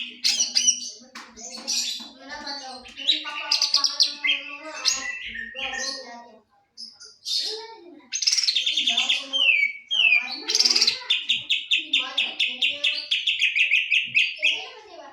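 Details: Greater green leafbird in breeding condition, kept bird, pouring out a long varied song of sharp chirps, sweeping whistles and trills, pausing briefly, then ending in a steady fast series of bright repeated high notes.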